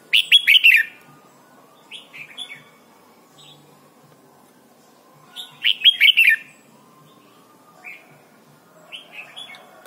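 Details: Thai red-whiskered bulbul singing, a recording meant for training young birds: two loud bubbly phrases of rapid chirped notes about five seconds apart, with short softer whistles scattered between them.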